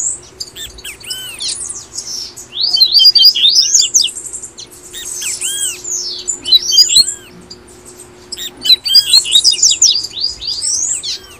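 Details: Tui tui song of a double-collared seedeater from Brazil, used to get caged birds singing: repeated phrases of high arched and sweeping whistles mixed with fast chatter, coming in bursts with short gaps, over a low hum.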